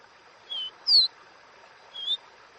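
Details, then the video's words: Caboclinho in Dó Ré Mi song: a level whistle, then a louder higher note sliding downward, a pause of about a second, then a rising whistle, over faint steady background hiss. "CANTO DO CABOCLINHO Dó Ré Mi"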